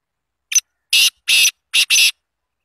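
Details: Black francolin (kala teetar) from Azad Kashmir, Pakistan, calling loudly: a harsh, grating series of five noisy notes over about two seconds. A short first note is followed by four longer rasping bursts, the last two nearly joined.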